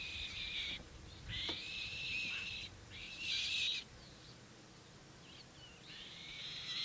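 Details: Three African black-shouldered kites mobbing a tawny eagle on a morning safari at El Karama Ranch, Kenya, screaming as they attack: harsh, high, drawn-out screams in bursts of about a second, several overlapping, with faint wind underneath.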